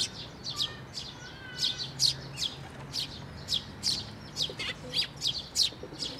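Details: Sparrows, including newly fledged young, flying in to a bridge over water to be fed at a Tenmangu shrine on 11 May 2024; sharp high chirps repeated in quick uneven bursts, about eighteen in six seconds, over a low steady hum.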